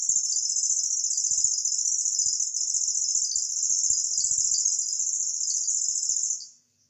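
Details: Cici lurik, an imported bird with a cricket-like song used to tutor songbirds, giving a sustained high, fast-pulsed insect-like trill with faint low clicks beneath, ending abruptly near the close.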